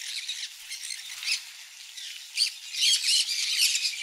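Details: Conures feeding on mealworm egg food give rough, high squawks over dense chattering, growing louder and quicker in the second half.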